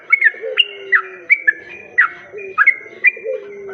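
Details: Yellow-vented bulbul song used as a lure to draw in other bulbuls: short whistled notes, each with a sharp slurred attack, repeated irregularly, with softer low sliding notes beneath.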